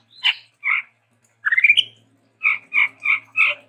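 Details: A Chestnut-rumped Babbler (Stachyris maculata) gives harsh, nasal notes: two single calls, a quick rising stuttered run, then four evenly spaced notes about three per second.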